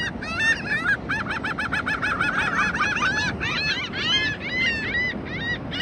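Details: A dense chorus of seabirds calling along the ocean shore, South Padre Island, Texas, at spring break: rapid strings of harsh, laughing squawks, roughly two every second, overlapping throughout against a steady rumble of surf.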